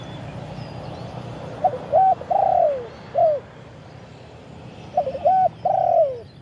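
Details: Live recording of a spotted dove used as a branch decoy, cooing to lure wild birds. Two matching phrases of clipped coos end in a long descending note, with a quiet pause between them and steady low background noise.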